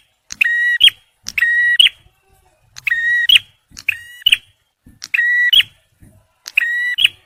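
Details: A male bar-winged prinia delivers six loud, buzzy, electric-sounding notes, each clipped by a click at start and end, about one per second against a silent background; the recording is used for luring and for prompting stressed birds.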